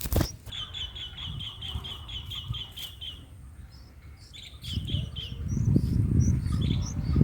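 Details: Bulbul nestlings on their fourth day, fed in the nest with a green cocoon, a frog and a wasp: a fast, even run of short, high chips, then scuffling and rustling handling noise.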